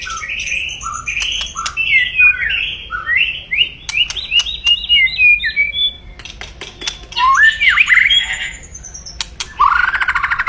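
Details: Aggressive loud crackling 'kretekan' song of a white-rumped shama, meant to stir rivals. Continuous rapid phrases of slurred whistles and rattling crackles, with sharp clicks throughout.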